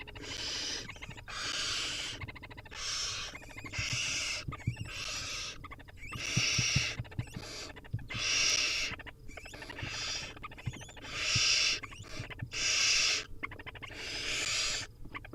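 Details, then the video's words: Hungry wild barn owl nestlings begging at feeding time: repeated rasping, hissing screeches, roughly one every second or so, overlapping and uneven, with soft knocks and scuffles between them. "Hungry Little Owls: Barn Owl Nestlings' Feeding Time"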